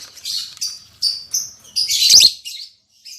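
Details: Newly paired caged lovebirds, albino MM male and lutino MM female, utter thin whistled notes and squeaky chirps building to a loud harsh burst, with a light tap.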